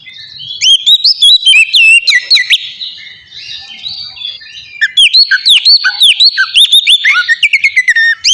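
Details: Loud ngeplong singing by an oriental magpie-robin, a lure for captive birds: bursts of rich whistled phrases and snappy chirps, with a quieter warbling lull in the middle before the strong notes return.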